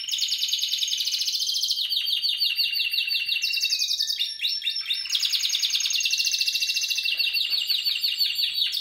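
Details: Spanish Timbrado canary, 2017 stock, singing continuous fast metallic trills that shift pitch between blocks, with a short lower slurred passage in the middle before resuming the high rolling trill.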